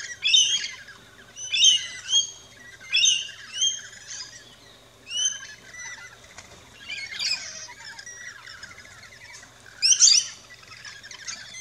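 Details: Rainbow lorikeets at a backyard feeder in Australia give a string of sharp, metallic chirps roughly every second, then sparser screechy calls with one loud burst near the end.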